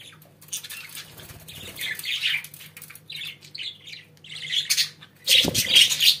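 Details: Pet budgerigars chatter in a fast, busy warble of rapid high chirps and buzzy squeaks, building to a loud, crowded burst toward the end.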